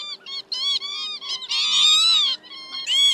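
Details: Northern lapwing flock calls, male and female, played to lure migrating birds into night nets: rapid chain of buzzy, nasal notes merging into a long loud wheezy stretch near the middle.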